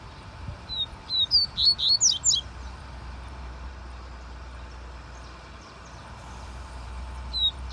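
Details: Double-collared seedeater giving one quick burst of about eight high, thin whistled notes, then a long pause with a low rumbling hum and a faint single note near the end.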